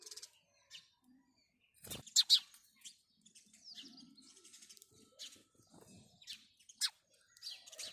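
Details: House sparrow chirping: short, sharp chirps given in irregular bursts, the loudest pair just after two seconds, with fainter twittering between them and a few soft low thuds, possibly wingbeats.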